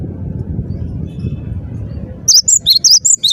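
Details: Cinereous tit bursting into song after two quiet seconds: six or seven clear, high whistles alternating upper and lower notes in a quick, even rhythm.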